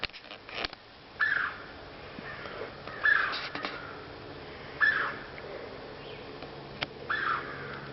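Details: Unseen mystery bird in Komoka Park, recorded in 2010, giving brief, clear, mid-pitched call notes spaced roughly two seconds apart, four in all, amid occasional sharp clicks and faint hum.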